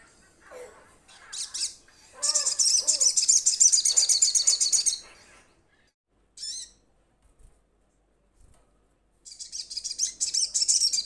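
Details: Ruby-cheeked sunbird calling to companions in a trotol style: dense bursts of high, thin chirps and rapid twittering, with a sustained trilling run in the middle and another at the end, separated by short pauses.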